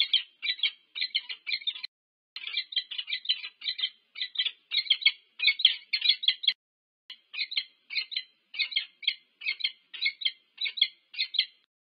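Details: Wild peregrine falcons, a mated pair meeting at the nest at UC Berkeley, USA, 25 August 2023, recorded on a nest cam: long run of hoarse, chattering notes in fast groups, two brief gaps.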